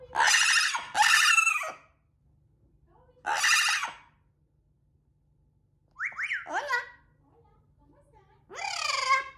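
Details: Pet parrot indoors, yelling at the cat and calling out for its absent owner: a series of harsh, grating screeches, two in quick succession, then another, followed by shorter bent, wavering squawks and a final rasping cry.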